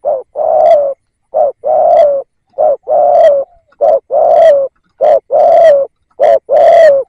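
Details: Decoy spotted dove calling to lure wild doves, loud low cooing phrases, each a short coo followed by a longer, slightly falling coo, repeated steadily about every 1.2 seconds, six phrases on an otherwise silent background.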